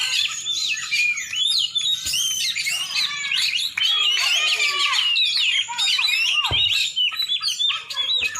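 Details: Aceh champion Oriental magpie-robin giving loud, rapid, varied song of upslurred whistles and chatter, with phrases repeated about twice a second and a couple of sharp knocks.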